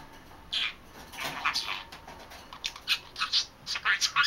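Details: Three-month-old male budgerigar kept as a pet, chattering away to himself indoors; soft warbling and scratchy rising chirps, growing louder and more rapid toward the end, over a constant background hiss.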